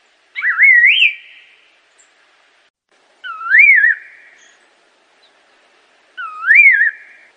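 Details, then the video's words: Song of an Assam laughingthrush, three rich whistled phrases about every three seconds, each swooping low then up into a warbled, wavering flourish with a faint higher overtone, ending in a soft fading tail; quiet background otherwise. "Canto do pássaro Assam Laughingthrush"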